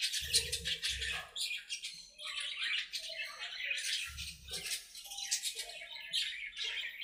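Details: Aviary budgerigars at play chatter continuously with harsh, buzzy squawks and rapid twittering, while low rumbling bursts come twice in the background.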